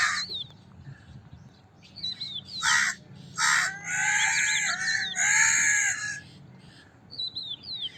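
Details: Crows cawing in a run of rough, throaty caws, several in quick succession. Sharp whistled notes of small birds sound before and after.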